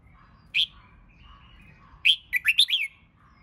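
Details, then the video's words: Red-whiskered bulbul, a bird being trained for singing competition: one sharp clipped note, then a quick run of four to five bright warbled notes rising and falling. "Chào Mào Hót Kích Bổi YẾU LỬA LÊN LỬA!.. Luyện Chào Mào Hót Đấu Căng."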